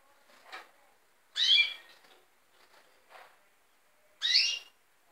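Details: Red siskins giving two strong, twangy, harmonic calls about three seconds apart, separated by quieter soft chips and rustles.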